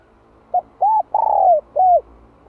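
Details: Spotted dove decoy call in "2 hậu lỡ" style for training wild-caught doves: a clipped short note, an arched coo, a long rolling purr-coo and a final arched coo, all low and mellow.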